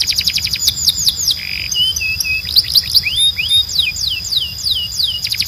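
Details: Canary song meant to train young birds to sing: busy mix of sharp swooping whistles, a short buzzy burst, and flowing rising-and-falling slurred notes over a constant high tone.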